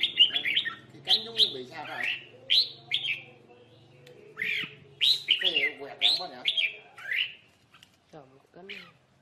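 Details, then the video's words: Red-whiskered bulbul trapped with a lure bird, birds fighting; repeated bright, slurred falling whistles and chirps in quick bursts, with a low hum and a few quieter calls near the end. "chào mào cực đẹp hót cực hay đánh nhau cực khủng"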